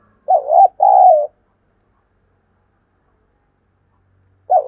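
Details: Spotted dove cooing used to challenge wild and decoy birds into responding. A two-part phrase, a wobbly short coo then a longer, smoother one, followed by silence, with the start of the next phrase at the very end.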